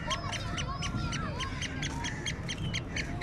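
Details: Captive black francolin calling: a rapid series of harsh, grating notes, about three per second, with a few thin whistled sounds and background murmur; keeper remarks the bird is fighting him.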